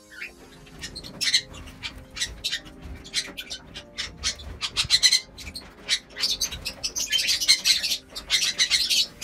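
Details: Lovebirds in a home aviary, shown eating egg food, vegetables and softfood: shrill, harsh squawks and sharp chirps in rapid bursts that grow denser and louder toward the end, with faint background music.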